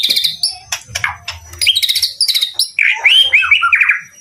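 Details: White-rumped shama song: a rich mix of sharp chips, buzzy notes and fluid warbled whistles, ending in a run of slurred melodic phrases, with faint low hum underneath.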